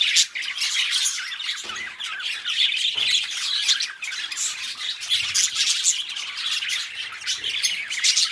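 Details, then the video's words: Two pet budgerigars, companions, chattering together in a dense, continuous run of high, scratchy warbles, chirps and squawks, broken by a few short pauses and with soft low thumps underneath. "Relaxing Budgie Sounds | Birds Sing You to Sleep Peacefully"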